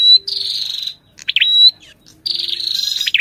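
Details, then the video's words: Ashy tailorbird with its female: a dry buzzy trill, then quick down-up swooping notes ending in a thin whistle, followed by another long rasping trill. "Tiếng chim Sâu đầu đỏ hót kèm tiếng Mái | Chích bông nâu ✅Ashy Tailorbird call | นกกระจิบหัวแดง"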